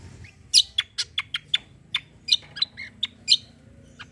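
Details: Cucak kombo singing gacor. Sharp, separate high whistled chips and short notes come about every quarter second, with a few lower buzzy notes over faint low background hum.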